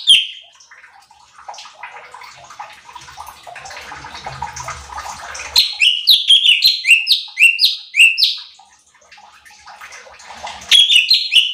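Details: Training song of a cucak cungkok bulbul meant to rouse other birds: after several seconds of rushing, water-like noise, a run of loud rising-and-falling whistled phrases, then a pause and more whistles.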